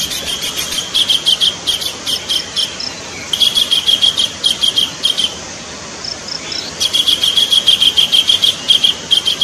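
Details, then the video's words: Kingfisher chattering, used to lure birds: long runs of rapid, rasping high notes broken by quieter spells with scattered soft notes. "pikat burung tengkek suara pancingan"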